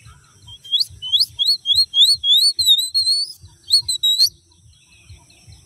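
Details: A pet talking myna whistles when its owner asks it to, giving a quick run of about a dozen high, clear notes that each slide upward over about four seconds, with soft low thumps behind.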